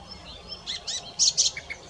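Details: Song thrush singing a short phrase of soft, rough notes rising to two louder, harsh high notes, with light background hiss.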